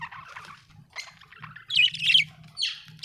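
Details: Budgie chattering in a warbled, scratchy run of mixed high notes that grows louder and harsher toward the end, with a faint low hum beneath.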